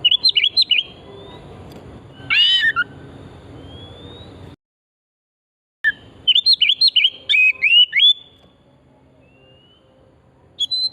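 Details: Oriental magpie-robin (kacer) song used as a lure to get other birds singing: rapid sequences of sharp, varied whistled notes and chirps, a burst of harsher notes, a sudden silent gap, then further lively warbled phrases.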